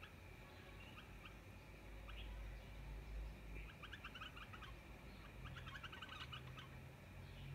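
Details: A wild pair of bulbuls give quick bursts of bubbly, chattering notes at a bright mid-high pitch, loudest toward the end, over a steady low rumble.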